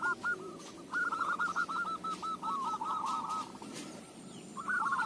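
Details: Local-strain zebra dove whose song suits use as a lure, giving a long rattling trill of quick cooing notes against a steady hiss of background noise, then a short burst of the same trill at the end.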